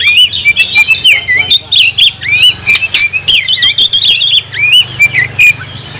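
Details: Oriental magpie-robin in captivity singing energetically: slurred upward and downward whistles interwoven with harsh clicks and chirps, a busy stream of notes over a low background hum.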